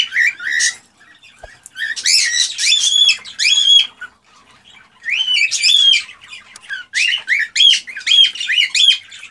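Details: Excited song of a male cockatiel urging the female to mate: repeated phrases of clear, harmonic rising whistles and squawky chirps in tight groups, with pauses of about a second between groups.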